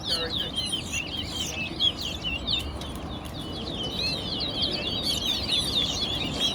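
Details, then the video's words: Towa towa birds in a singing competition at Guyana National Stadium, Guyana: rapid, twittering, sweeping warbles high in pitch, delivered in a continuous stream over low crowd murmur. "Towa Towa Bird Competition"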